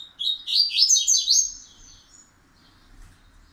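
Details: Pancadão-style song of a double-collared seedeater whose song is settling over time. One quick phrase of high, slurred, twittering notes runs for just over a second, then fades to near silence with soft low rumble.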